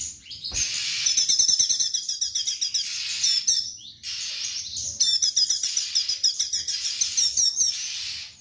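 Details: Straw-headed bulbul in full 'tembakan' song, fast volleys of bright, high staccato chirps, about six per second, delivered in two long bursts separated by a brief pause, with a constant hiss behind.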